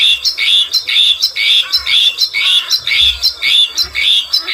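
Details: Bluethroat song: a rapid series of bright, ringing chirped phrases repeated about twice a second with steady rhythm, clear and close, with faint low thumps beneath.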